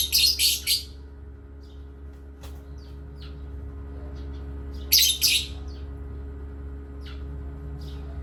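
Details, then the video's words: Parrots at playtime chirping in quick groups of three or four harsh, noisy notes, one group at the start and another about five seconds later, with faint clicks and a constant low hum. "playtime with Parrots Chirping"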